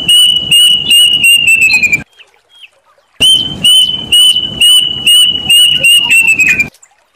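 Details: Plaintive cuckoo, called kedasih, emprit gantil in Javanese and cirit uncuing in Sundanese, giving a run of clear whistled notes about two per second that slowly step lower in pitch, a short pause, then a second falling run; loud, harsh recording.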